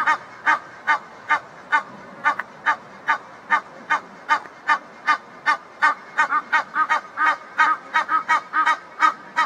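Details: Pair of Egyptian geese in a backyard, calling as if talking to each other after one mate returned; rapid, harsh honks repeated about two or three per second, often in doubled bursts, steady throughout.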